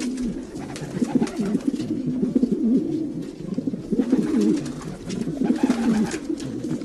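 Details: Many domestic pigeons cooing at once, deep burbling phrases swelling and fading in uneven waves, a few sharper wing or foot noises mixed in.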